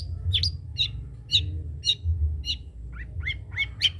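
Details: Long-tailed shrike, the spotted trotol form, kept as a master singer, utters spaced high chips then a few lower, rising notes, about two notes a second, over low background hum.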